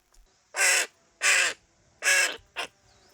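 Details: A weak, likely dehydrated baby crow, fallen from its nest and abandoned by its parents, gives three harsh, drawn-out caws about half a second each, then a shorter clipped one, spaced under a second apart.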